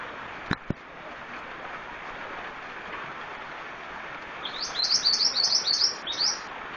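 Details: Scarlet-headed flowerpecker singing actively (gacor): after a quiet start with two sharp clicks, a fast run of high, thin, ticking chirps lasting about two seconds, then one short closing note.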